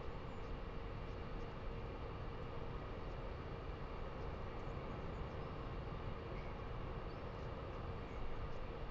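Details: Steady broadband rumble and hiss from a nest camera microphone, with no animal voice heard.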